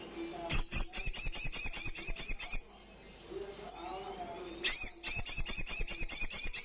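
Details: Olive-backed sunbird singing loudly: fast, high, buzzy chattering trills of rapid repeated notes, two bursts separated by a brief pause with faint low sounds.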